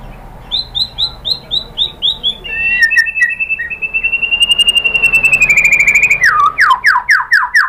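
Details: Shama (murai batu) song played to provoke other shamas to reply: a steady series of short whistled notes, then a long, level rattling trill, ending in loud, rapid downslurred whistles repeated about twice a second.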